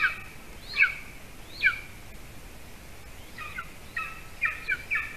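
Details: Golden eagle nest in Latvia at 8:42 p.m., the adult male delivering a bird to the chick; a few spaced, shrill downslurred chirps, then a quicker, softer cluster of stacked chirps toward the end, with background hiss.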